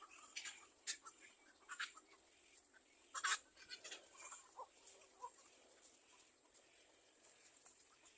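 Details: Little egret young wanting food from its mother: scattered harsh rasping calls, a loud cluster partway through, then softer irregular chattering squawks trailing off.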